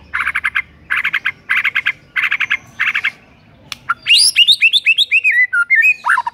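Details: White-rumped shama singing to make a rival shama sing: five evenly spaced bursts of harsh chattering notes, then a rich, fast run of varied whistles and slurred phrases.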